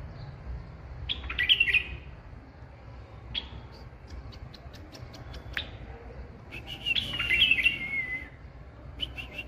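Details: White-eared bulbul singing: two short, bubbly, warbled phrases of quick rising and falling notes about five seconds apart, with scattered faint ticks between them over a steady background hiss.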